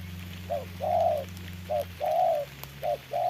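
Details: Rainy-day trapping scene with a decoy spotted dove challenging a wild bird: soft two-part coos, a clipped note followed by a longer sustained one, repeated three times over a humming background.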